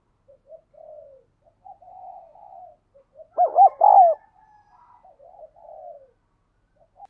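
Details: Spotted dove used as a decoy, cooing urgently to lure wild doves. Soft, low cooing phrases come before and after one loud coo near the middle: two short arched notes, then a longer drawn-out note. No other sounds.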